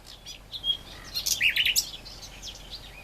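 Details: Song of a great reed warbler: a scratchy, jumbled run of chirps and rasping notes peaking midway, then fading into softer twitters.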